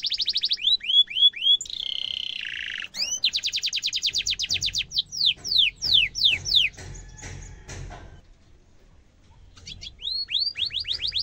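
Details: Sharp, rolling canary song used to train young birds: varied phrases of descending whistles, a buzzy harsh segment, fast trills of repeated chirps, then a quieter gap with faint rustling before rising chirps resume.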